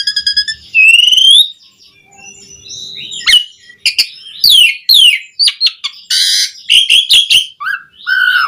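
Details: Javan pied starling pouring out a varied, fast song meant to prompt other starlings to sing, with a rising whistle, clicky bursts, harsh grating notes and clear whistled phrases following one another rapidly.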